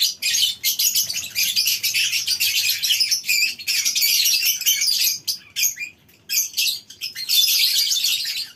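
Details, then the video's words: Many lovebirds calling together in a colony aviary on a breeding farm at morning time, shrill high chattering that surges, drops out briefly near the sixth second, then swells again. "Suara Love bird"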